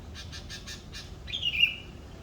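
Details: Morning bird in Indonesia gives several soft raspy notes, then a bright, loud whistle that slides downward and trails off, against a quiet low hum.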